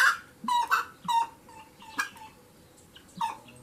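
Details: Saracura, a wood rail, calls in a series of harsh, nasal bursts with short whistled tails. The calls are loud at first, then fade to softer, scattered notes over a faint background hiss.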